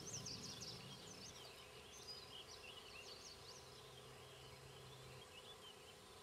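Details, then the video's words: Banded Black-capped Chickadees, a male and female pair, feeding nestlings at a fence-post nest near Queen's University Biological Station in spring 2006. Rapid, thin, high squeaky notes tumble over one another above a low steady background hum. "Black-capped chickadees feeding young #1"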